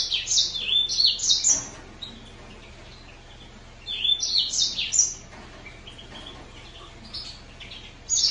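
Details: Green singer finch song in short bursts of high, sweeping chirps and twitters, each burst about a second and a half long, separated by quiet gaps.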